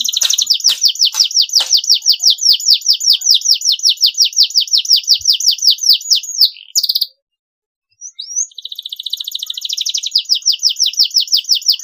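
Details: Canary song in short phrases, used to stimulate a stressed canary: long rapid trills of high repeated notes, a brief pause near seven seconds, then a thinner buzzy trill returning to fast repeated notes.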